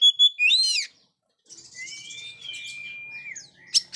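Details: Lively Oriental magpie-robin (kacer) song for mute young birds: a loud burst of rising and falling whistles, a pause, then a long thin whistle and a sharp closing note.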